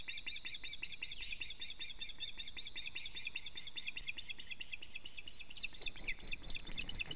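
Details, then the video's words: Latvian nest osprey giving alarm calls on 19 July 2017 as the male arrives with a still-living fish; a steady, rapid chatter of high piping notes fills the whole stretch, with some rustling or knocking toward the end. "Teo brings a living fish- alarm calling"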